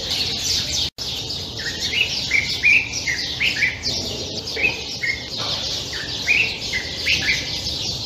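A Common Bulbul gives short, bright, upslurred notes about once a second, over a dense wash of high chattering from many other small birds.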